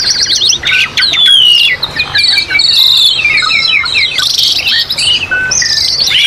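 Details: Asian pied starling training song with mountain nature ambience for pet birds: a busy stream of sharp chirps, clear whistled sweeps and buzzy rattles, near-continuous and layered, with a few falling whistles and a short lull midway.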